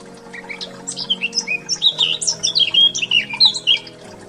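Sparrows chirp in quick, uneven bursts, several sharp high notes a second, over soft background music.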